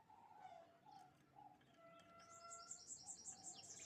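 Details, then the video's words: Canaries singing: soft tonal notes and short chirps lead into a fast, high, evenly repeated trill of bright notes during the second half, with a steady low tone underneath. "the beautiful chirping sounds of canaries"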